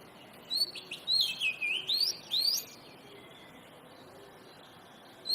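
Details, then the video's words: Oriental magpie-robin giving a short energetic burst of song: five or six loud, sweeping whistled notes packed into about two seconds, then quiet hiss, and one more note at the end. "Burung Kacer Gacor"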